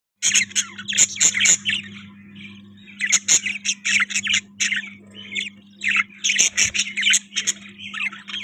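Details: Budgerigar chirping: bursts of bright, scratchy chirps and squawks in rapid clusters with short pauses between groups, over a steady low electrical hum.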